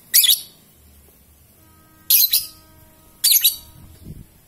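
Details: Three-and-a-half-month-old young lovebird during mental training, calling in three harsh, buzzy high bursts, some doubled, roughly one to one and a half seconds apart, with a faint low rumble behind.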